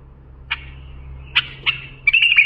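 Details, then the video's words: Bulbul song played for training young bulbuls: three widely spaced sharp notes followed by a fast, liquid warbled flourish, with a low background hum throughout. "بلبل للساناته إبداع يفيد للتخريج صغار بلابل"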